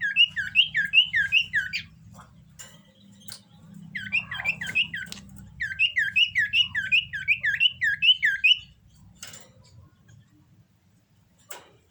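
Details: Common iora in breeding condition delivers three fast bursts of rolling, bouncing chirps, each lasting one to three seconds, then a few faint clicks.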